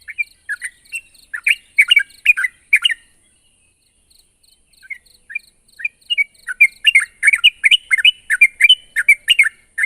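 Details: Sooty-headed bulbul in vigorous voice, calling a rival: clusters of chirpy notes, a near-silent pause around the middle with faint ticking, then a long dense chatter.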